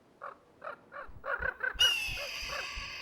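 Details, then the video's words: A Common Raven of a mated pair in Yellowstone's Lamar River Valley, harassing a hawk near the nest, gives a rallying cry: about nine harsh croaking caws, three a second, with rushing noise and a thin whistle. "Scientists have identified 30 distinct raven calls, including one that summons other ravens to their fight."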